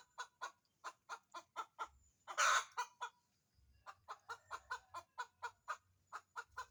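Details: Chicken preparing to lay an egg and looking for a laying spot. Steady rapid clucks, roughly four per second, are broken by a single loud raspy squawk, and then the clucking resumes.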